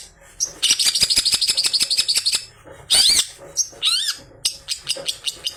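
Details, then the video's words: Long-tailed shrike song stuffed with mimicked sounds, used to provoke other shrikes into singing: a long fast rattling series, a loud harsh burst, a wavering swooping whistle, then scattered sharp chips. "CENDET ISIAN GANAS Pancingan Ampuh"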